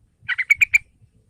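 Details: Trucukan (yellow-vented bulbul) recording to draw a young bird into singing: a short phrase of two lower notes followed by three brighter, clear chirping notes in quick succession.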